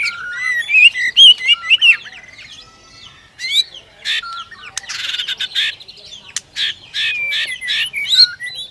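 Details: Male white-rumped shama in a cage, stirred to sing by a female, pouring out quick varied whistles and warbles, then harsh rattling bursts and clicks between phrases.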